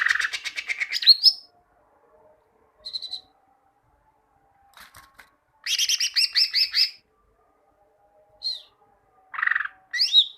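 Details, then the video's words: Greater green leafbird song meant to train other leafbirds to sing. It has a long rattling buzz ending in a whistle, short isolated chips, and a lively run of about ten rapid ringing notes, then more buzzy and sweeping calls. "Masteran cucak ijo, masteran burung cucak ijo agar cucak ijo rajin bunyi"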